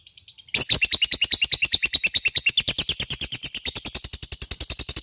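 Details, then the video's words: Lovebird singing a long ngekek, used to provoke a response from other lovebirds: after half a second of near silence, a fast, steady run of high, sharp chirps, about six or seven per second, continues without a break to the end. "Pancingan LOVE BIRD gacor ngekek,mudah di respon lawan"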